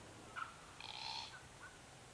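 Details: Calyptorhynchus lathami lathami, the South-eastern Glossy Black-Cockatoo, at a foraging site on the Kings Tableland in the Blue Mountains, Australia, 2022. A short note, then a drawn-out creaky, wheezing call of about half a second, followed by soft trailing notes.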